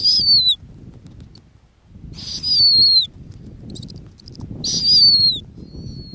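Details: Female snowy owl nesting on Arctic tundra: three hoarse, high screeches, each dropping in pitch at the end, about two and a half seconds apart, with faint thin whistles and wind noise.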